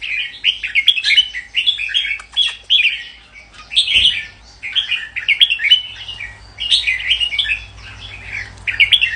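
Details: Red-whiskered bulbul singing: a steady run of lively, warbled phrases, each with bright whistled and chirpy notes, following one another with barely a pause across the whole stretch; a faint low hum lies beneath.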